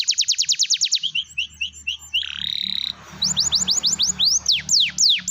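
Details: Canary song used as a lure to get silent canaries singing: fast rows of high descending whistled sweeps, then short buzzy phrases and a steady buzz, ending in louder, slower swooping notes over a faint low hum.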